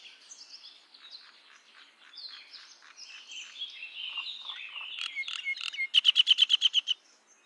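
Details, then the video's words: Common myna singing a varied medley: jumbled chattering and whistled notes, then a loud rapid series of about eight sharp, clicking notes in the final second, with no other sounds. "Common Myna Sound ! Common Myna Song ! Common Myna Call ! Common Myna Vocal ! Common Myna Voice"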